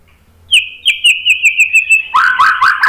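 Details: White-rumped shama song used to get other birds calling: high whistled notes repeated quickly with slightly falling pitch, then lower rich warbled phrases.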